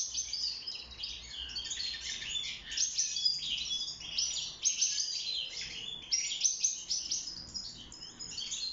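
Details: European goldfinch in a cage, singing during mating and nest building. Rapid liquid twittering mixes high chirps, buzzy notes and brief trills in a dense unbroken stream, with slight swells in loudness.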